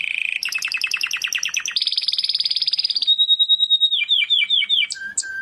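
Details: Canary singing in the morning. A varied song of rapid rolling trills shifts through several tours: a low warble, a fast pulsed roll, a high buzzy trill, a steady whistled note, then quick downslurred chips and clear whistles.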